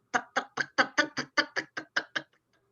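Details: A Common Blackbird gives its alarm call, used when a cat or magpie is near to alert other birds to danger: a rapid, harsh rattle of about eleven loud chacks, roughly five per second, ending abruptly.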